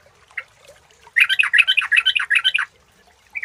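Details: Sooty-headed bulbul song played as a lure: a lively burst of bubbling, chattering notes rising and falling in quick succession for about a second and a half, set between short isolated chirps.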